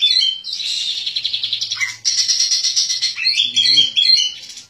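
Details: Oriental magpie-robin, a caged contest champion bird kept on a daily routine, singing a loud, varied song of buzzy rattling trills and sharp whistled phrases, with harsh squeaky notes and a brief low murmur in between.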